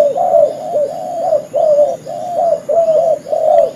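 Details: Spotted dove cooing used as a lure for trapping: rounded, moaning low notes in regular phrases about every half second, slightly rising then falling.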